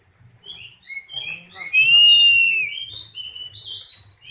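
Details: Oriental magpie-robin in breeding condition: soft warbled phrases build to a clear arching whistle, followed by varied quieter whistled notes; faint low hum in the background.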